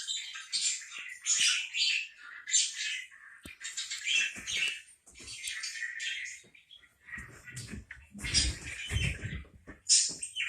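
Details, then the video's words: Continuous parakeet chatter of grating squawks and chirps, with some low thumping noises in the second half. "4 minutes of parakeet sounds"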